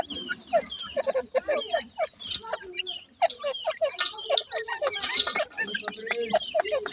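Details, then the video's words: Feeding francolin chicks in a family group give busy, overlapping chirps and short squeaky notes in quick succession, with scratchy noises mixed in throughout. "teetar chicks feeding, teetar ki bache,partridge, francolin family"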